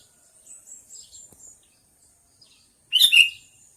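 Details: Faint high twittering first, then a sooty-headed bulbul's single loud, bubbly burst of quick chattering notes near the end.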